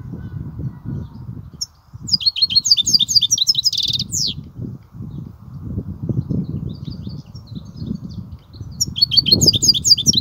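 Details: European goldfinch singing the kubiya style: an energetic run of rapid high twitters ending in a buzzy trill, quiet gap with soft notes, then another fast twittering burst; low background rumble throughout.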